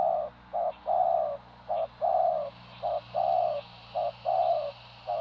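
Spotted dove giving soft, hollow coos in short-long pairs, a brief note then a longer falling one, roughly every second, over a low steady hum.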